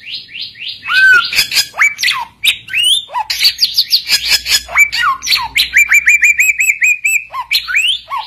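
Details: Energetic song of an Oriental magpie-robin meant to call rivals so other birds answer: rich mix of clear whistles, downslurred notes, scratchy chatter and a run of quick repeated chirps, delivered loudly without break.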